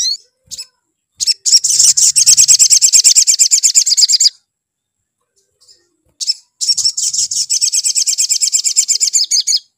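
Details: Spiderhunter call, played to rouse another spiderhunter into singing: rapid, very high, sharp chipping notes, about three per second, in two long dense bursts separated by a short silence, with a faint low rumble during the first burst.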